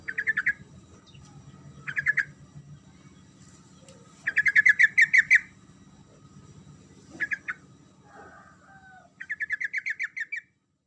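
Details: Yellow-vented bulbul's energetic rolling song that triggers quiet birds to respond. Five bursts of fast, bubbling chirps, some short and some long runs, over a faint low hum.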